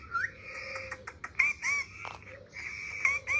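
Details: Indoor parrot occupied with a mobile phone produces short upward whistles and sliding notes among sharp clicks and tapping, with a faint hum underneath.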